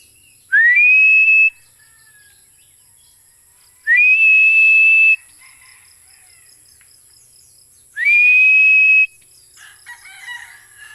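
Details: Philippine eagle repeating loud whistled calls about every four seconds, each rising sharply then held level and piercing, with faint rustling and clatter after the third.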